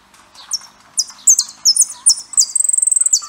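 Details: Saffron finch song: sharp, very high slurred notes falling in pitch, given in quick irregular bursts, then ending in a fast even trill of clipped ticks.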